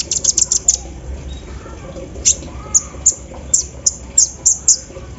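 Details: Sunbird called kolibri ninja singing in the morning dew, its song said to include embroidery-machine imitation; a quick opening flurry of high chips, then single piercing ticks repeated about every third of a second, over a quiet hum.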